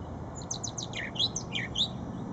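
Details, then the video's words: Short burst of brown thrasher song at Shred-It Pond: a rapid chattering series of high, steeply falling slurred notes, some doubled, lasting about two seconds over faint low noise. "Brown Thrasher Singing"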